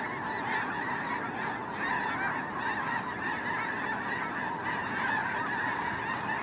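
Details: Snow geese on migration, filmed from a drone: a huge flock calling at once, countless overlapping nasal honks merging into a dense, unbroken roar with no single bird standing out.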